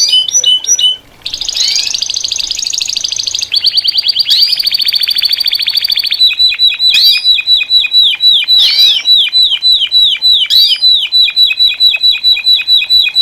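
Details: Several Saffron finches (Sicalis flaveola, canário-da-terra) sing together at a group gathering: high rolling trills and buzzy bursts, then quick repeated chirps about once a second, broken by sharp upward sweeps.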